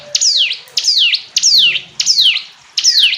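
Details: Hill prinia uttering five strong, high notes that each glide sharply downward, spaced about two-thirds of a second apart. A faint low hum sits underneath.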